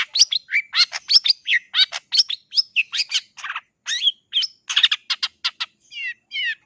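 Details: Long-tailed shrike (cendet) song: a rapid, varied run of sharp chirps, rising and falling whistled notes and harsh buzzy bursts, delivered in quick bursts with brief gaps and ending in a few repeated descending slurred notes.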